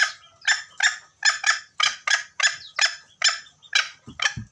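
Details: Junglefowl calling at Gunung Kambeng, a sound used to attract birds into traps: about ten coarse, hoarse bursts spaced roughly half a second apart, followed by a couple of dull low thumps.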